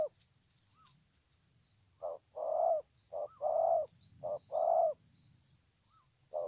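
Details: Spotted dove song recorded at Kon Long on 9 June 2020: a series of soft, low cooing notes in short bursts, some longer rounded coos, with a steady high electronic hiss and faint chirps from other birds.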